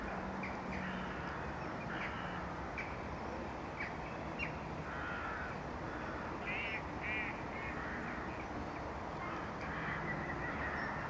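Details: Caspian gull in third to fourth winter plumage, recorded at Lac de Maine, Angers-Bouchemaine, Maine-et-Loire, 16 January 2015. There are scattered hoarse calls, then a quick run of laughing, wavering notes, over constant low-pitched background noise.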